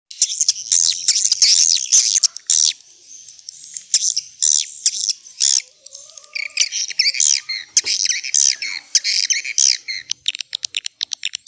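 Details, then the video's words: Swiftlets in an old-style calling recording used as a lure to draw birds in: dense, high, buzzy twittering chirps in rapid bursts, with a few brief lower tonal notes near the middle. "Suara Panggil Walet SUPER JADUL"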